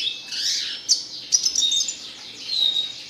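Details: Red siskin singing in the classic style, a continuous high twittering warble with quick chirps and short buzzy notes, a few sharper accents near the middle.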